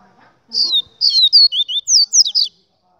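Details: Double-collared seedeater of the 'Gladiador' type singing a longer run of about eight rapid, looping whistled notes that rise and fall, after a faint low murmur at the start.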